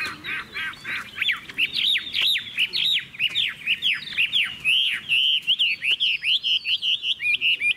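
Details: Chinese hwamei kept in a cage pours out varied song. Rich, slurred whistles fall and rise in quick succession, ending in a rapid run of short, evenly spaced notes.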